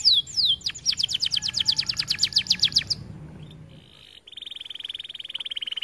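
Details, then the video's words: Canary giving full song for training other birds: a fast rattle of sharp ticks for about three seconds, near silence, then an even buzzing trill. "Kenari gacor cocok untuk masteran"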